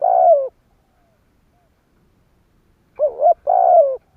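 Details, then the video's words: Spotted dove giving a lure coo to provoke wild doves: one long falling hollow coo, a pause of over two seconds, then a wavering double note followed by another long drawn-out falling coo. "Cu gáy gù kích bổi"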